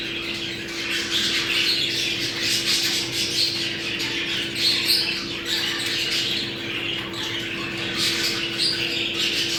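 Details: Mating-call recording of budgerigars meant to stimulate breeding: a flock's continuous scratchy warble with sharp chirps and squawks layered together, over a constant faint hum.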